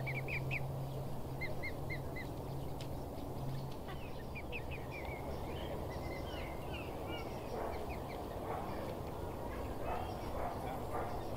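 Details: Cygnet chattering among swans at Newsham Burn Pond, Blyth, on a pleasant June day in 2016: fast clusters of high, clipped peeps that grow denser and more slurred, over constant low drone.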